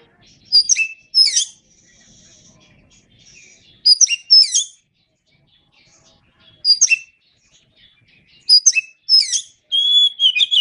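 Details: Oriental magpie-robin song for training caged songbirds: repeated clusters of shrill, sweeping chirps and downslurred notes, several phrases over ten seconds, ending in a longer run of quick whistled notes.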